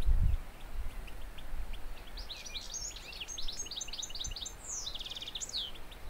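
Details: European goldfinch singing in the wild: a light, high tinkling twitter of quick chirps and trills, ending in a short buzzy descending run, heard at some distance over steady wind noise with a low thump at the start.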